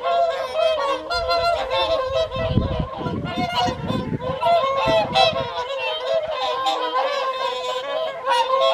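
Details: Evening feed of whooper swans at WWT Caerlaverock's Folly Pond in January 2023. A steady wall of bugling honks from many birds, with low rumbling thuds in the middle section.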